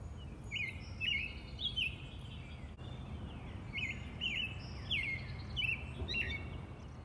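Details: Robin song in a natural setting: about nine brief, bright chirping phrases in quick succession, some rising, some falling, spread unevenly over the clip, with a constant low environmental hum beneath.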